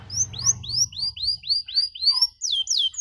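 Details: Canary song used as a model for young birds learning, with ornate phrasing: a series of rising-then-falling whistled slurs about three per second, a faint low rumble underneath early on.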